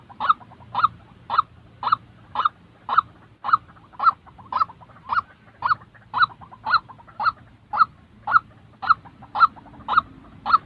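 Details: White-breasted waterhen, a real bird used to train decoys for trapping, calls over and over: about twenty coarse, nasal honks at a steady pace of nearly two per second.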